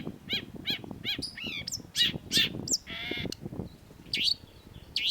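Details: Sharp-voiced long-tailed shrike singing vigorously for a cage-bird training master: a run of quick repeated chevron chirps, then varied whistles, a long buzzy rasp, and sharp downslurred notes.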